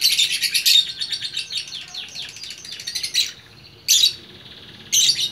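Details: Lovebird in Bukittinggi, West Sumatra, singing a 'gacor orkestra' chatter: a continuous three-second stream of rapid shrill twitters and buzzy rolling notes, then two short sharp bursts after pauses.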